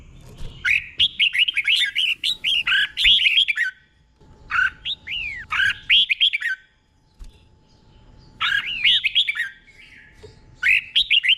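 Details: Red-whiskered bulbul in the doubled song style, slow and clear, for caged birds to imitate: rapid series of rich, looping whistled notes in three long bursts, each followed by a brief silence.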